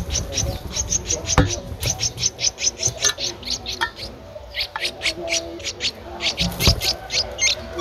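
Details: Nestling Streak-eared Bulbul, aged 13 days, recorded 15 April 2023 in Ubon Ratchathani, Thailand: a continuous, fast series of high sharp chips, several per second, with a soft background drone and an occasional click.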